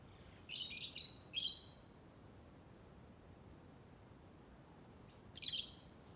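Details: A lovebird chatters in short bursts of rasping, high chirps. Two quick notes come close together, then one more, then a long quiet gap before a final scratchy pair near the end.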